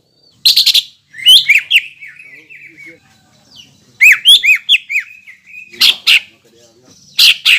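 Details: Greater green leafbird singing to stir up rival leafbirds: scratchy buzzy bursts alternating with lively slurred whistles, delivered in separated phrases with quiet pauses between.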